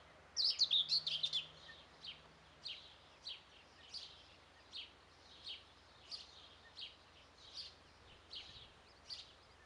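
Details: Young helmeted guineafowl: a burst of high, thin chirps, then single squeaky peeps repeated roughly every half second, with a low steady hum beneath.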